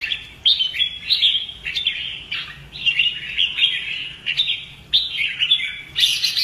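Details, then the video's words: Red-whiskered bulbul kept for fighting-song training, delivering rich warbled phrases of bright whistles that rise and dip, in bursts roughly every second, with a sharp clipped note near the end. "CHÀO MÀO | Luyện giọng chim hót hay hót đấu - kích ché lên lửa"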